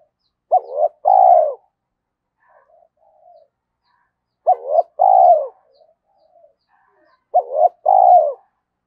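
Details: Spotted dove coo, played to make wild doves respond and come close; three matching phrases roughly every three and a half seconds, each a quick double note then a long falling coo, with faint soft notes between.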